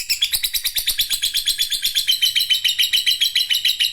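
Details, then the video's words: Lovebird giving a long ngekek chattering song: a steady, unbroken run of rapid, harsh, high chattering notes, about seven per second, keeping an even rhythm throughout. "LoveBird Ngekek Panjang"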